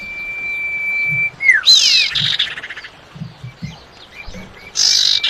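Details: Common iora female calling the male, used to lure birds. A long steady whistle ends in a falling slur, then come a harsh buzzy rattle, soft chatter and another rasping burst.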